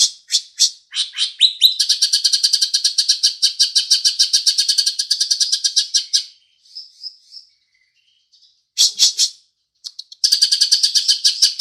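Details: House sparrow mimicry by a green leafbird: a few sharp opening notes give way to four seconds of dense, rapid chattering, then soft thin notes, a silent gap, and renewed bursts of fast chirps.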